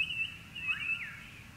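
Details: Currawong at dawn in a bird sanctuary in Moorooka, Australia: a clear, high whistled phrase that holds steady, then slurs down and sweeps back up, against a soft low background hum.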